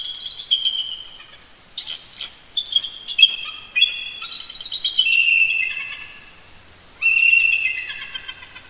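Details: Mated eagles chortling together early morning while roosting near the nest at Big Bear Lake, California, November 18, 2018: repeated high, giggling chatter phrases overlapping, with light background hiss.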